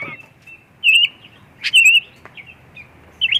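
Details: Shama song, a white-rumped shama, played to lure others into singing: slurred, wavering whistles and sharp chirps in quick clusters, including a loud bright burst mid-way, over near-silent background.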